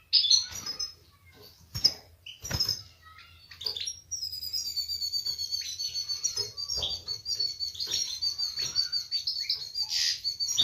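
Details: European goldfinch mating song in the bitbita style, said to make the female take a mating posture. A few sharp clicks and knocks open it, then a sustained high, bright twittering with thin tonal trills runs to the end.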